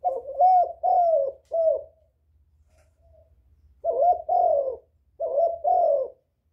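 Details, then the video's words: Spotted dove luring other doves with repeated phrases of three hoarse coos, a quiet gap of about two seconds, then two more pairs of throaty coos. "Tiếng chim cu gáy kích bổi mau nổi, cu gáy kích mồi hay"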